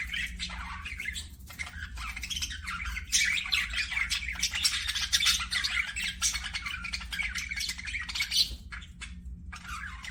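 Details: Budgies in an aviary chatter nonstop, a dense buzzy warbling of overlapping chirps and squawks that swells mid-recording, then thins briefly near the end; low hum underneath.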